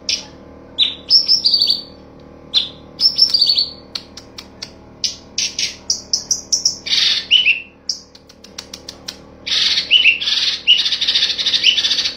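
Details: Cucak cungkok master recording, 'full tembakan' style, used as a model for training songbirds: quick series of sharp high chirps and buzzy rattles with brief descending whistled notes, ending in a dense continuous chattering burst, with a soft background hum.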